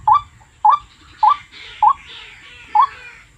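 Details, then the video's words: A waterhen gives six short, upslurred 'kook' notes at a steady pace of about two per second, in a quiet setting. "Beautiful WaterHen"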